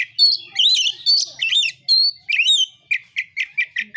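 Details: Oriental magpie-robin in fighting song provoking other birds: rich warbled phrases with buzzy overtones, ending in a rapid series of short identical whistled notes, about three per second.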